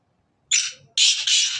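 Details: Black francolin, described as the Sindhi black francolin, giving a loud harsh call: a short rasping opening note, a pause, then two longer grating notes run close together. Background otherwise quiet.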